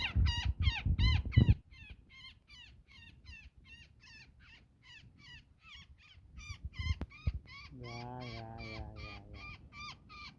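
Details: Woodpecker caught in a net giving distress calls: loud harsh squawks at first, then a softer rapid run, with a person talking briefly near the end.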